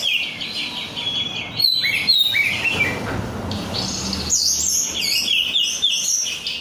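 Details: Kept oriental magpie-robin of Korean strain singing rapid scratchy notes and whistles, about four elements per second, irregular in timing, with a quieter middle stretch before the song surges again.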